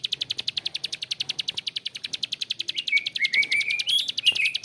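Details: Rough-voiced bar-winged prinia ngebren: quick high clicks at a steady pace, joined toward the end by thin rising whistles and twittering from another bird.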